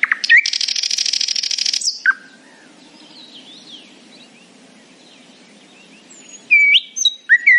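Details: Morning nightingale song: a loud buzzy rattling trill for about a second and a half, then quiet with faint distant warbles before sharp whistled notes return.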